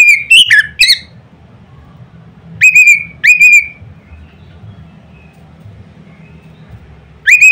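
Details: An Oriental magpie-robin's loud provoking song: sharp whistled notes in a tight cluster, a long silence broken by two separate ringing whistles, then another pause before one last rising note.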